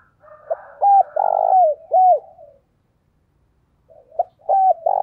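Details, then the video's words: Spotted dove decoy call used to lure other doves: a short opening note, then loud mellow coos around 600–800, with a long rolling middle coo and a falling ending, the phrase repeated after a pause. "tiếng cu gáy mồi chuẩn dùng kích bổi hiệu quả"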